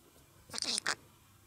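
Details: A pet green-cheeked conure says "ii ko" ("good boy") in Japanese, two quick, raspy, high syllables in about half a second, in an otherwise quiet room.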